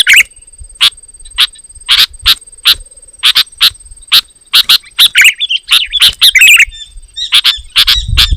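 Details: Sharp chirps, repeated at uneven intervals, from a sooty-headed bulbul whose loud, dense song is said to provoke rivals, with brief warbled phrases near the end.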